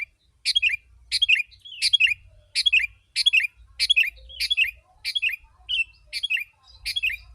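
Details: Dense lure song of a sooty-headed bulbul for drawing wild birds: about ten crisp, chattering phrases, each a sharp burst sliding into liquid notes, spaced under a second apart, soft low hum.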